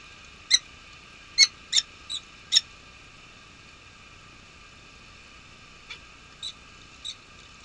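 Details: Peregrine falcon changeover at a nest with at least one egg, Nottingham Trent University, UK, 23 March 2013, in unusual snow; a cluster of sharp high chips, then a few fainter ones after a pause.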